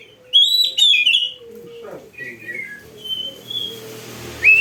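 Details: Oriental magpie-robin, a singing bird used as a training model for other kept birds, giving loud, clear whistled phrases with slurred rising and falling notes, then quieter warbled fragments and a final bright whistle, over a steady low hum.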